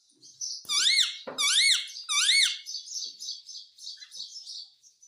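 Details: Pet Indian ringneck parakeet, indoors, said to talk in Hindi: three loud arched squawks in quick succession, each rising then falling, followed by a softer, fizzy, high chatter that trails off.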